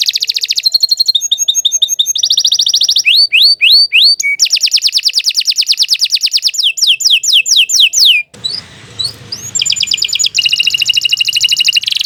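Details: Long, varied canary song meant as a tutor recording for young birds: fast rattling trills, rising upswept whistles and rolling buzzy phrases changing every second or two, with a brief break of low noise before the trills resume.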